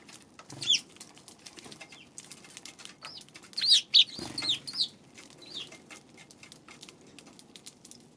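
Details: Eurasian tree sparrow on 2 March calling in quick bursts: clustered high chirps around four seconds and scattered single notes elsewhere, with a short low thud near four seconds and light background clicks.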